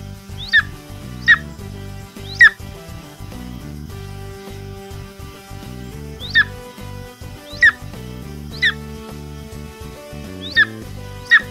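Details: Golden eagle giving short, thin, downward-slurred whistled yelps, eight of them spaced unevenly about one to two seconds apart, over steady background music.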